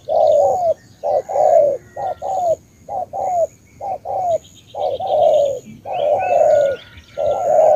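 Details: Spotted dove from Cà Mau, Vietnam, calling loudly in repeated low hooting coos, short notes and longer slurred falling ones in uneven phrases, with a faint high chirping of other birds behind.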